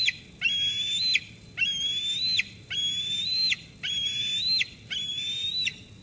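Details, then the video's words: Persistent squeeing by an eaglet toward its food-bringing mother at a Sauces Canyon nest: five even, thin, high-pitched whistled calls, each lasting most of a second and ending in an abrupt falling slur. "Dina squees Mom away, then eats."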